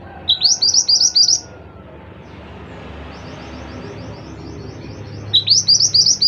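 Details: Mantenan (scarlet minivet) singing persistently in 'gacor' style: a run of five or six crisp rising whistles, a pause with faint distant echoing notes, then another similar burst of upslurred whistles.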